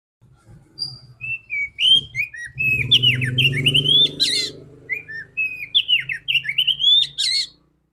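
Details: Female oriental magpie-robin meant to prompt males to sing, with flowing whistled phrases, quick slurs and sharp accents, over a low rumbling background hum in the middle.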